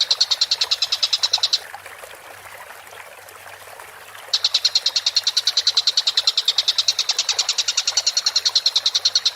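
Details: Collared kingfisher, used as a bird training recording, giving fast runs of harsh, metallic kek notes, about eight per second. A burst of under two seconds is followed by a pause, then a steady five-second run.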